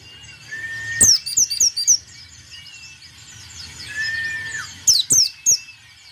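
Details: Actively singing white-eye, meant to get rival birds singing and firing 'nembak' bursts: two quick bursts of high, rapid, descending chirps, interleaved with long steady mid-pitched whistled tones.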